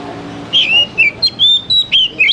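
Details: Oriental magpie-robin song meant to prompt young wild-caught birds into singing: a quick series of clear, slurred whistles, some rising and some falling, delivered in short separate bursts.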